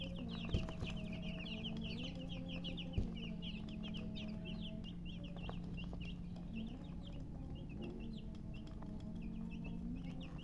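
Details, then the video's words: A group of baby chickens keeps up an unbroken chirping, crowded high peeps falling in pitch, accompanied by a couple of sharp knocks and a constant low hum. "Baby "Chicks Chirping" Sound"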